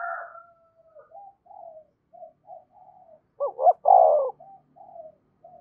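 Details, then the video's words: Spotted dove calling to provoke other doves: soft scattered low coos, a loud two-part rolling coo in the middle, then quiet trailing notes, with a fainter harsher call at the start. "tiếng cu gáy thúc và gáy gọi/ cu gay kich boi nhanh noi gù"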